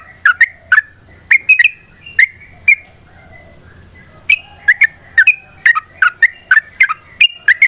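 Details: Yellow-vented bulbul, long 'ropel' fighting song meant as a lure: bursts of rich, gurgling whistled notes, then a pause of over a second, then a denser burst of quick bubbly phrases; a thin steady high tone is present throughout.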